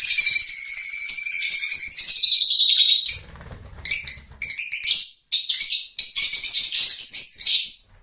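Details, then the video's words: Loud high twittering from a lovebird, steady at first, then broken into short squeaky bursts before resuming as continuous shrill chatter. "Love Birds Nature Sound"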